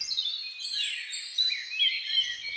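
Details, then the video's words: Common linnet (Linaria cannabina) recorded in a garden in spring–summer 2021 while a pair fed their young. A continuous warbling twitter slides between higher and lower notes, with a few louder chirps near the end. "KONOPKA OBECNÁ - sameček, samička, krmení mláďat, zpěv"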